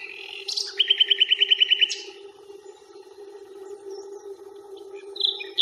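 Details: Nightingale at Fingringhoe reserve on 1 May, captured on a Panasonic Lumix FZ82 while walking: a brief introductory note, then a rapid, even burst of about ten sharp repeated notes in one second, a later short high phrase, and constant low background hum.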